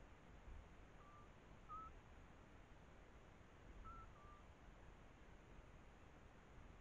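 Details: Eurasian scops owls duetting near their nest, a female perched on a camera trap and a male a few metres away: soft, pure whistled notes at two slightly different pitches answering each other, faint over steady low rumble.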